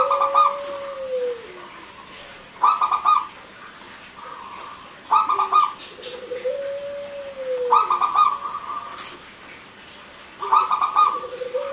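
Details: Actively singing local zebra dove, used to coax silent males and females into song: rolling, pulsed coo phrases recur about every two and a half seconds, alternating with long, gently arching lower tones.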